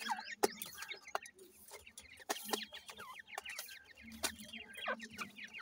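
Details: Several grey francolin (dakhni teetar) babies give rapid, thin rising peeps in overlapping runs, mixed with sharp clicks and a low hum in the background.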